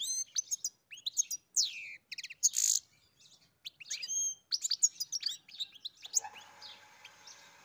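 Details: Singing European goldfinch: separate sharp, high chirps and downslurred whistles, one harsh buzzy note mid-phrase, then a quick twittering flourish that fades into a steady background hiss.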